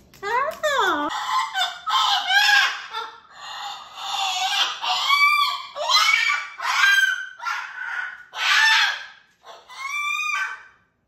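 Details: Performing on a railing, a pet cockatoo gives a run of loud, harsh, rasping squawks and screeches, about one every second or two, some sliding up and down in pitch.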